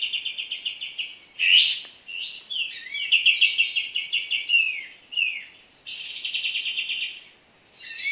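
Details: Sooty-headed bulbul heard during bird trapping, called in repeatedly until it approaches; bright rapid trilled and bubbling phrases, with short rising notes and brief pauses, steady throughout.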